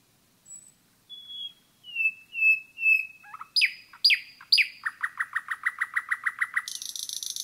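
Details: A nightingale sings in the forest. Thin high whistles and slurred descending notes give way to loud emphatic notes and a long run of rapid repeated chirps ending in a dense buzzy rattle.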